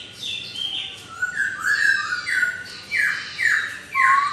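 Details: Laughingthrush singing melodiously to prompt a reluctant laughingthrush to reply within a minute: a series of loud whistled notes, each dropping sharply in pitch, repeated about twice per second with short gaps.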